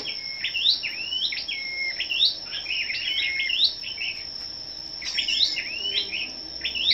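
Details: Several scarlet-backed flowerpeckers singing against each other one morning, 10 May: bright, sharply rising twittered notes in rapid bursts, a short break near the fifth second, then more, all over a constant shrill electrical-sounding tone.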